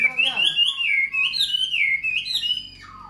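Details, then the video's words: Chinese hwamei, a hand-tamed cage bird, delivers a strong whistled song of looping, undulating notes that rise and fall, ending on a lower falling slur as the volume fades. "Chim thuần sách tay hót, đấu tốt - Hoạt Họa Mi"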